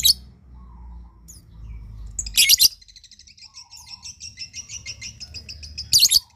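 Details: Lovebird calls for prompting others to answer: a harsh shriek burst followed by a long rapid train of high thin chirps, ending with another loud shriek, over a low hum.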